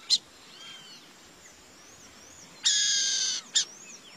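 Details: Burrowing owl giving one long, harsh, hissing rasp lasting under a second, with brief raspy bursts just before and after; faint thin whistles of other birds run through the quieter background.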